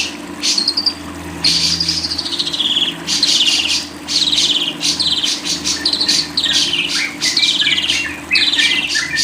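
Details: Lovebird chattering song: long buzzy trilled phrases followed by rapid clusters of high squeaky chirps in bursts, with short pauses and a steady low hum.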